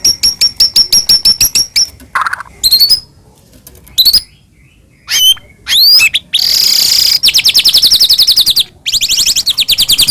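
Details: White-rumped shama singing non-stop, Medan type with full fill-ins, as a lure for other shamas: a rapid even rattle of high ticks, scattered sharp swoops and chips, then long shimmering high trills.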